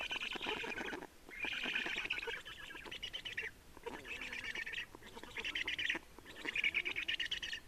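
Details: Nest changeover and feeding of black storks in Estonia on 30 May 2019, 15:28; five or six raspy, strongly pulsed bursts, each one to one and a half seconds long, broken by short pauses.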